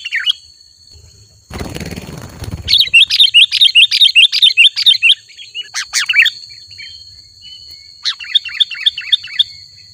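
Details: Sooty-headed bulbul singing, played to bring wild bulbuls near: a short rustling noise burst, then a steady series of crisp repeated chirps, a few scattered notes, and a final short chirping run, over a thin constant whine.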